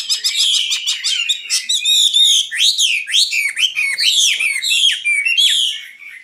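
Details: Common nightingale opening with a fast rattle of repeated clipped notes, then breaking into loud, swooping rising-and-falling whistles in quick succession.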